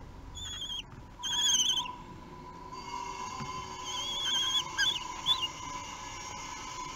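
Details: Three-week-old common kestrel chicks at a nest in Théding, 8 June 2021, give shrill, thin, wavering calls in short bursts as they are fed, over a steady low hum.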